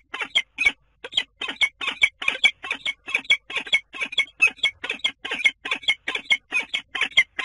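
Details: At a nest in a Scheveningen water tower in the Netherlands on 10 April, a common kestrel repeats rough, scratchy squeals steadily, a little more than two per second over seven seconds, each note harsh and rasping; nothing else is heard.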